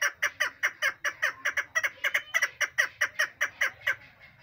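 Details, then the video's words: Female chukar partridge calling: a rapid run of harsh, clucking notes, about four a second, each note sliding slightly downward, keeping a steady pace before thinning out at the end, over a faint low hum. "madi shikar awaz bast female sound dasi madi keklik sesi"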